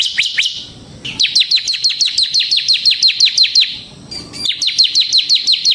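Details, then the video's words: Bar-winged prinia, the ciblek semi form, used to lure and tutor other birds: long rattling bursts of high, clipped, down-slurred notes, around three per second, broken by short gaps. "suara burung CIBLEK SEMI GACOR Ngebren Ampuh untuk Pancingan Ciblek Kristal dan Masteran Ciblek"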